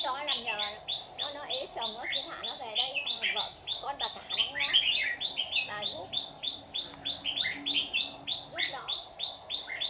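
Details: A decoy red-whiskered bulbul, white-cheeked type, sings at a trap to lure wild birds. Steady chain of short looping notes, roughly three per second, with a brief warbled flourish and conversation in the background.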